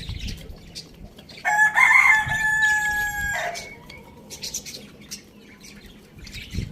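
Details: Rooster on a farm in a village crowing loudly: a single long harmonic cock-a-doodle-doo of about two seconds, strong and steady then dropping at the end, with soft clucking and farmyard rustling before and after.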